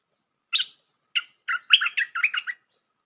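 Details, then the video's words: Bulbul call played to lure birds for trapping: a chirp, another chirp, then a rapid bubbling chatter of linked warbled notes. "Suara pikat merbah lekir"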